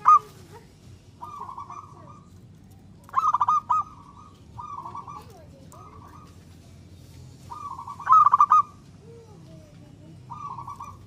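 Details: Local zebra dove, a frequent singer, whose song is meant to trigger replies: loud pulsed stuttering bursts alternate with softer trilled coos, with several phrases repeated across the recording over a low background drone.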